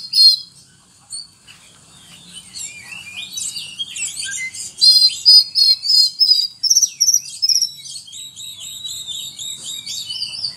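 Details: Oriental magpie-robin song full of cricket mimicry, opening softly, then building into a fast run of sharp, chirping high notes repeated about three per second, fading into scratchy twitters.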